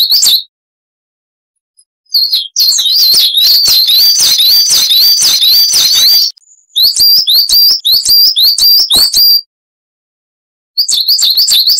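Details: Coal tit, wild-type bird used as a training song for cage birds, sings a rapid high two-note wucit-wucit pattern, phrases tumbling about three per second in bursts separated by short silent gaps.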